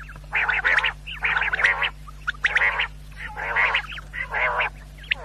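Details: Quail calls for night hunters: five rasping, buzzy bursts roughly one per second, each with a short clipped chirp before it, against a constant low electrical hum.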